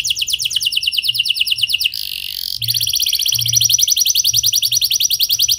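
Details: Singing canary with a clear rolling song used as a prompt for other canaries; steady high trills of rapid repeated notes, interrupted once by a short harsh buzz.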